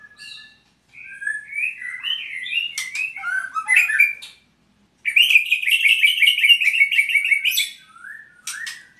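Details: Albino white-rumped shama (murai) singing warbled whistles, then after a pause a long rapid buzzy trill of repeated notes lasting over two seconds, ending with a short whistle.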